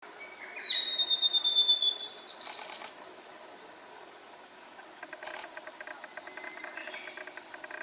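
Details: Male blue-and-white flycatcher singing by the Morito River, Kanagawa Prefecture, Japan, on 18 June 2021: a high, clear whistle sliding slowly downward into a fast trill, then harsher buzzy notes, over a steady background of many faint repeated chirps.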